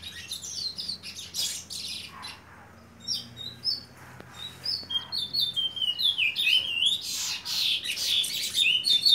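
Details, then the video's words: Seven-month-old chestnut-bellied seed finch delivering scattered short whistled notes that build into a faster, louder sequence of sweeping slurs and chirps toward the end, over a low background hum. "CURIÓ FILHOTE 7MESES"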